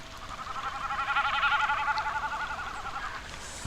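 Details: A Common Snipe's goat-like bleating, its breeding-season display sound, heard at the Urdaibai marsh on a rainy afternoon, 4 November 2021: a fast, throbbing tremolo that swells then fades over about three seconds, against a light hiss.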